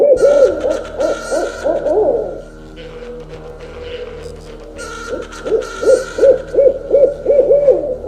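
An owl gives quick runs of mid-pitched hooting notes, about three a second, in two bursts separated by a quieter pause, over a steady faint hum.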